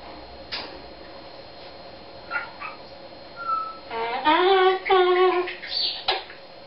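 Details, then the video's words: Pet Eclectus parrot singing its own made-up song: a few faint clicks, then a clear level whistled note, followed by rich warbling harmonic phrases that rise and dip, ending with a brief high squeak. "singing eclectus"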